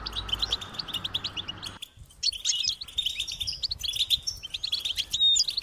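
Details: Several European goldfinch chicks chirp insistently for their parents to feed them, quick high twittering notes, with a faint low hum early on and a short quiet spell near two seconds.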